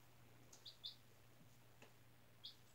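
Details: One four-day-old chicken chick, hatched from a school-incubated egg on April 17, indoors on fresh bedding, gives four brief high chirps, two close together early and one later, with a faint low hum and slight rustling.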